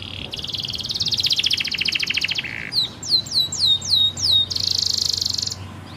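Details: Training song for young canaries: a long fast buzzy pulsed trill, then a string of evenly spaced swooping downslurred whistles, ending in a dense high buzzy roll.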